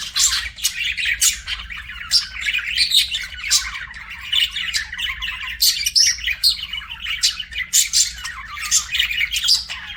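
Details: Budgie chirping with sharp, separate high chirps and squeaky notes over a raspy warbling background, lively and uneven in rhythm.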